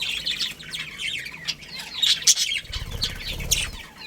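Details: A budgerigar breeding pair chatters with dense, rapid high warbling chirps. A low fluttering rumble, like wings flapping, comes in near the end.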